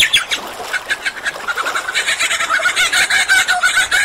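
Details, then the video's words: Dense superb lyrebird mimicry: rough chattering notes tumble almost continuously, growing busier and louder toward the end. "Lyrebird Song"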